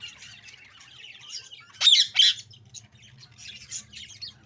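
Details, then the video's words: Budgie chatter of high, scratchy chirps and soft twittering, with two loud harsh squawks just before the two-second mark and quieter chirps after. "parrot budgie chirping sound"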